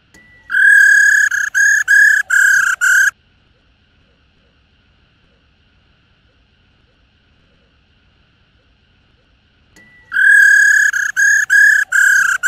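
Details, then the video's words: Female black-throated laughingthrush, played to stimulate males to sing: two bursts of rapid, ringing, harmonic chattering notes, each about two and a half seconds long, separated by a long silence. "KHƯỚU MÁI RO Kích Trống Hót Căng Mỗi Ngày"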